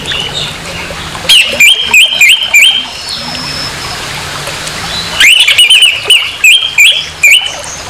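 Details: Harsh provoking song of an orange-headed thrush, used to stir up anger in a rival: two bursts of loud, rapidly repeated clipped notes, about six per burst, separated by a quieter gap with a low background hum.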